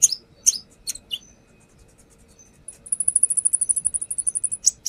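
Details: Lure recording of a brown-throated sunbird: a few sharp high chips, a short pause, then a rapid very high trill of even repeated pulses lasting nearly two seconds, ending in another chip.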